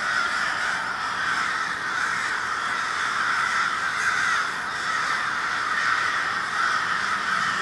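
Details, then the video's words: A murder of crows in Minneapolis, Minnesota, on February 20, 2020: a dense, unbroken chorus of many harsh caws overlapping into a steady roar, with no pauses across the whole stretch. "A Murder of Crows"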